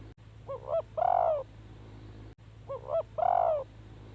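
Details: Decoy spotted dove used to draw in wild birds, cooing twice: quick soft opening notes, then a drawn-out descending coo, with a constant low background hum.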